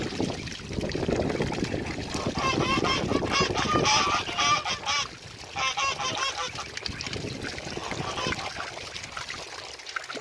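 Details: Pekin ducks and other ducks meeting: loud, harsh, honking quacks with a rich buzzy tone, delivered in fast overlapping runs that swell and fade, with a low rumbling background.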